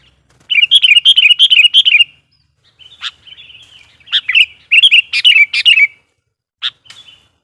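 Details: Sooty-headed bulbul used as a lure (pikat) to excite wild bulbuls: a fast, bubbly warbled run, then a thin drawn-out note, sharp chips and another tumbling phrase ending in a single chip.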